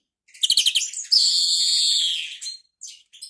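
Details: Kept European greenfinch, called a faulty "bad sound" singer, in a quiet room: a quick burst of twittering notes, then a long, drawn-out nasal wheeze, then a few scattered chirps.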